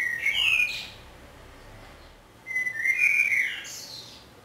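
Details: Common blackbird song recorded from a window hide in Budapest on 27 May 2014. One phrase is cut off at the start, then a second follows after a short pause. Each is a fluted, whistled warble finishing in a high, scratchy flourish.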